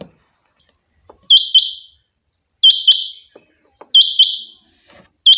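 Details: Chinga batair, a rain quail kept by its owner, uttering loud paired metallic notes. Each couplet is sharp and ringing, and the couplets recur roughly every 1.3 seconds, with a quiet background of small clicks.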